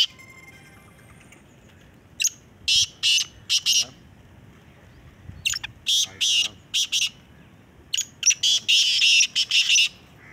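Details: Black francolin at a calling competition: after a quiet start, series of loud rasping, grating notes in clusters, ending in a rapid run of harsh calls.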